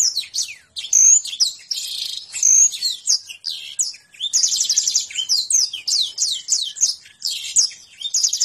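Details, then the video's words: Lively canary song of the konslet and ngentrok type, mixing thin piercing whistles, repeated down-slurred chips and a sustained fast buzzy trill in near-continuous phrases. "PERNAH LIHAT BURUNG KENARI SEPERTI INI...?? KONSLET + NGENTROK.."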